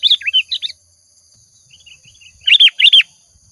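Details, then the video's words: Sooty-headed bulbul lure song: a quick cluster of liquid, slurred chirps, a soft pause of faint notes, then two loud emphatic warbled notes, over a faint steady high-pitched whine. "Suara Pancingan Burung Kutilang Gacor"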